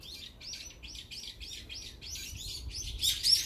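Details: Brown-eared bulbuls eating together in a flock give a steady series of high, arched squeaky notes about four per second, ending in a louder burst of chirping.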